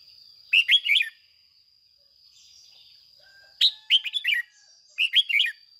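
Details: Red-whiskered bulbul, a captive decoy bird, sings three brisk warbled phrases of sharp rising and falling notes in the 'ché' style meant to excite other birds to sing. A steady high electronic-like tone runs throughout.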